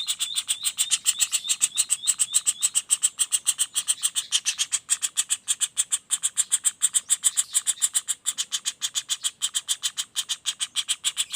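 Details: Juvenile common flameback calling continuously: an even, rapid stream of short, sharp high notes about three and a half per second, with a few brief thin whistles near the beginning.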